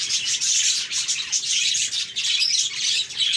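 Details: Happy budgies chirping together in a group: a dense, continuous wash of high, scratchy chatter and warbles with brief twittering peaks and no pauses.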